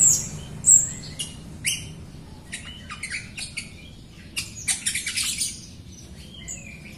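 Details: An actively singing Jalak Rio myna, used as a lure to get other Rio birds singing: scattered sharp chips, short whistles and harsh buzzy bursts with gaps, over a steady low hum.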